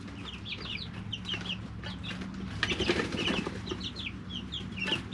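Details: Chicks aged three weeks in a brooder chirp in quick high notes, many overlapping, with rustling, wing flutters and a steady low hum.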